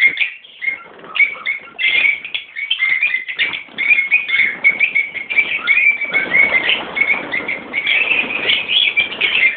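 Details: Colony of Fischer's and Rosy-faced lovebirds, parents mixed with young birds: a quieter opening, then rapid sharp chirps and short screechy notes building into a dense, unbroken chorus of high chatter.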